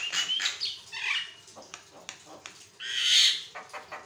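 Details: Javan myna (jalak kebo) singing to prompt other mynas; harsh screeching squawks and rasping bursts, one loud prolonged screech in the middle.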